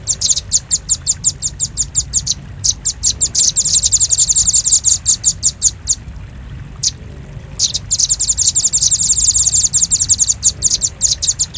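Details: Lure recording of a velvet-fronted nuthatch, known locally as the red-billed rambatan: long runs of fast, piercing high chips that sometimes blur into a dense chattering trill, broken by short silent gaps, over faint low background noise.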